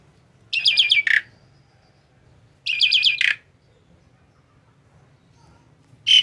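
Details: Asian pied starling, a tame bird, gives two buzzy, rattling chatter phrases about two seconds apart. Each ends in a harsher squawk. A short sharp note follows near the end in a quiet room.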